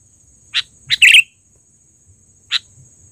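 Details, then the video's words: Trained sooty-headed bulbul giving a loud lure call: a few short sharp chirped notes, two close together and one isolated after a pause, over a steady high-pitched electronic whine. "suara pikat burung KUTILANG GACOR...Terlatih dan panggilan keras!!"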